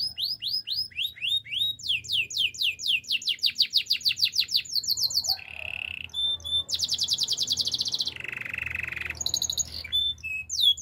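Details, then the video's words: Canary singing: rapid rising whistled notes repeated in quick series, then fast trills, a low buzzy roll and high metallic rattles, switching phrases every second or two. "Bird sounds canary chirping"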